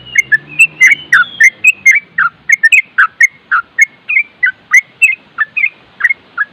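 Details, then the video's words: Yellow-vented bulbul in rapid, continuous 'nropel' singing, a training recording mixed with wind sound: a fast run of short fluty, down-slurred whistled notes, about three to four per second, with a faint low hum at the start. "Masteran trucuk nropel dan suara angin bikin trucuk setres nyaut"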